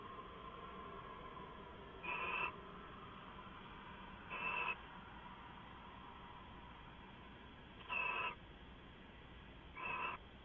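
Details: Owls calling at night, recorded indoors on a live camera: four short, harsh bursts roughly every two to three seconds over a steady low hum, each burst broad and raspy with a bright upper band.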